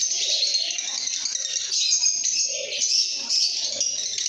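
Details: Lovebirds singing and chirping: a dense, continuous wash of shrill, scratchy high chirps and twitters with no pauses, from several birds calling at once, plus faint lower rattling sounds underneath.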